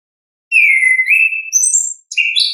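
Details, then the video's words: Natural song of an orange-headed thrush in the ngeplong style: after half a second of quiet, a long falling whistled note flows into higher slurred phrases, then a final bright burst. "ANIS KEMBANG GACOR, pancingan suara asli alam anis kembang"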